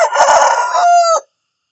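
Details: Morning crow of a rooster, a loud raspy call of just over a second that ends in a sustained, slightly falling tone before breaking off into silence.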